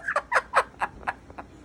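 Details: Lilac-crowned amazon parrot laughing while trying to out-laugh a boy: about seven short harmonic, chopped bursts, roughly every quarter second, loudest at first and fading toward the end, with human laughter around it.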